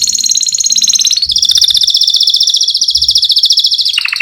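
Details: Canary fighter with a rolling song suited as master material for other canaries: a long, loud, fast rolling trill held steady at high pitch, stepping lower near the end, with faint low thumps beneath.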